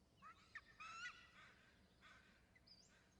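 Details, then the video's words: Eagle calling as it lands at its nest with eaglets, after sitting on a nearby branch. Brief, faint series of thin, slightly rising whistled notes with harmonics, a short chittering burst near the middle, then quieter chirps over low background hiss. "4.34 eagle to nest calling"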